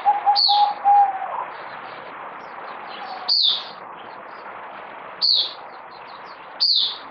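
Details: Zebra dove (merbok), a kept bird on multivitamins and said to be singing a little less strongly. It gives a quick run of level, mid-pitched staccato coos in the first second. Sharp high chirps recur every one to two seconds over a steady background hiss.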